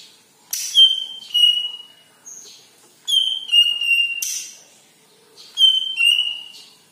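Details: Singing cucak ijo kepala kuning leafbird, offered to stimulate other birds into song: repeated whistled phrases, each a sharp high start easing into a level ringing note, with brief harsh chips between.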